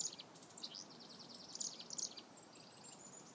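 Chickadees give rapid, buzzy, high-pitched scolding notes in quick bursts for about two seconds over a faint hiss of outdoor background noise.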